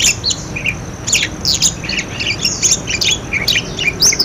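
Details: Several budgerigars chatter in quick, scratchy warbles and squeaky chirps, calling over one another in a rapid, high-pitched stream; the recording is used as a lure to prompt silent parakeets to sing.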